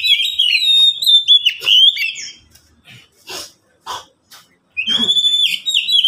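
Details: Caged Oriental magpie-robin, one of three kept birds singing in turn. Loud, clear, slurred whistles open and close, with scattered clicks and soft knocking sounds in the quiet middle.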